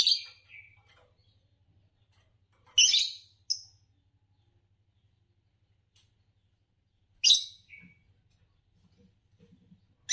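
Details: Green Fischer's lovebird, a competition champion, giving scattered rough chirps, some followed by short softer notes, against a steady faint hum.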